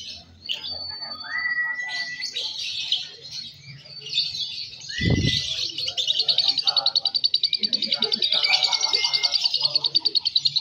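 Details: Young balibu lovebird, a fighter class bird, singing at a bird competition: scattered high chirps and whistles, then a long fast pulsing trill from about six seconds, with other birds and low crowd noise behind.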